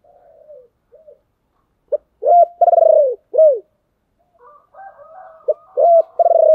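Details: Spotted dove kept as a decoy gives its lure song to make wild doves respond. Soft low coos give way to a loud series of hollow, slightly falling notes, with a faint higher whistle behind a second series.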